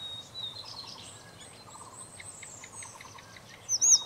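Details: Red-breasted flycatcher, a rare passage or winter visitor, at Shimen Reservoir, Taiwan, 16 January 2018, giving thin, high chirps and faint ticking notes, with a brighter, louder call near the end and soft outdoor background.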